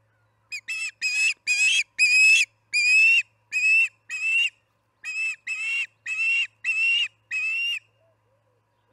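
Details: Osprey at the Charlo nest, evening feeding at 6pm on July 9, 2019: loud, harsh whistled squeals in two strings, each note roughly a quarter to half second long, with a short pause between strings.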